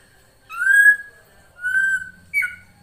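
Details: Female drongo giving a lure call for a male: three clean whistled notes. The first two rise and hold steadily, and the last is shorter and higher, then drops.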